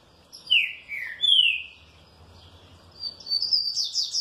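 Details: Well-kept green-winged saltator singing and responding happily: loud whistled phrases sliding downward, two strong slurred notes, then a pause and a run of higher, quicker rising notes at the end.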